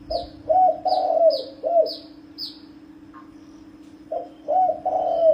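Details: Spotted dove calling to lure wild birds: low, soft coos in short grouped phrases with pauses between them, over a steady electric hum, with faint, quick, high descending chirps from another bird early on.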